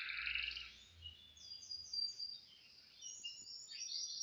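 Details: Canary singing during morning practice on 18 December 2025, a Thursday: quick, bright twittering trills and high ringing notes heard at moderate distance over steady background hiss.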